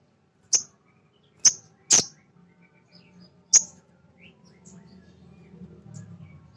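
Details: Male sogon, a nectar-eating bird, calling to excite other birds: four sharp, high chips in the first four seconds, followed by faint scattered twitters and rising low background noise.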